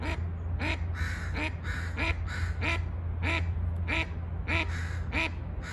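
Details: Mallard calling in a steady series of harsh, nasal quacks, roughly one every 0.6 seconds, over a constant low hum in the background.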